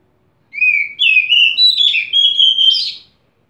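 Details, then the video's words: Oriental magpie-robin (kacer) delivering one continuous whistled phrase of about two and a half seconds, starting with a rising slur, then chains of bright, fluty notes broken by short gaps, ending in a buzzy flourish. "burung kacer buka paruh"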